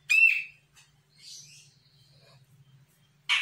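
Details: Young Sumatran grey-cheeked bulbul reacting to a lure call: one loud nasal, rising-and-falling harsh note, a soft hissing phrase, then a sudden rough burst at the end.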